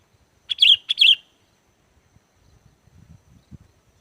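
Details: Sooty-headed bulbul played as a lure to make wild bulbuls answer and sing: two loud, bubbly notes in quick succession around the half-second mark, then faint low knocks and rustles.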